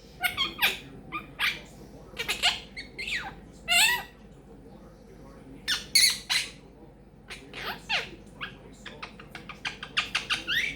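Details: Pet Quaker parrot chatting, a mix of short sharp high squawks and scratchy bursts in irregular clusters, some brief rising and falling notes, with quieter pauses between.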